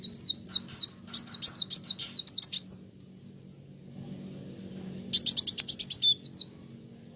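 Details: Olive-backed sunbird (kolibri wulung) in full gacor song: fast runs of high, sharp chirping notes for nearly three seconds, a pause with faint background hum, then a rapid high trill ending in upslurred whistles.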